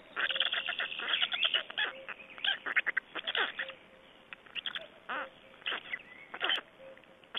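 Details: Feeding time at an Estonian black stork nest, 25 May 2012. Scratchy, grating bursts come in irregular clusters, loud at first, then sparser with quiet stretches between.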